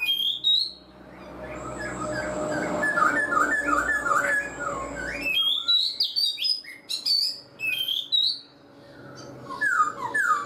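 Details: Caged black-throated laughingthrush, four months in the cage, singing softer warbled notes over a steady hum, then sharper high whistled phrases rising and falling with short pauses.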